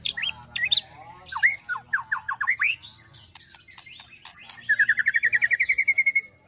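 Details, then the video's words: White-rumped shama ketrekan song used to make birds agitated, filled with cililin and prenjak imitations: varied whistled slurs and squawky notes, then a fast even trill of about twenty repeated notes at the end, low hum beneath. "KETREKAN MURAI BATU EMOSI TEMBAKAN PEDAS ISIAN CILILIN PRENJAK TIR BIKIN EMOSI"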